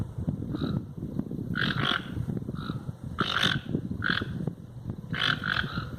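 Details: Wild toucans in nature giving short, croaking notes, singly and in quick pairs, with a low rumbling background throughout.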